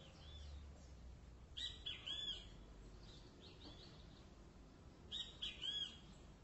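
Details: Great kiskadee calling twice, each time a quick cluster of bright, down-curving whistled notes, about three seconds apart. Light chirps and low background rumble continue throughout.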